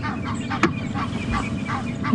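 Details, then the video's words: Egyptian geese perched in a tree at a dam on a sunrise safari drive, 7 January 2016, give repeated hoarse, honking alarm calls, several short blasts in two seconds, over a low rumble, while a monkey chatters nearby and leopard tracks are present. "The geese are alarm calling."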